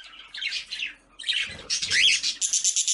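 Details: Colony of breeding budgies calling: overlapping chirps and scratchy warbled notes, some sweeping upward, growing denser and higher toward the end, with faint low knocking sounds in the middle.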